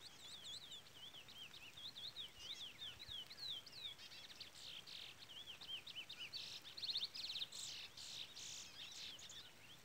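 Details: Chestnut-bellied seed finch, a 'pardo' bird, singing in the Trola style: a fast, continuous run of whistled, looping, warbled phrases, dense and unbroken, with sharp harmonic peeps from a chick breaking in toward the end.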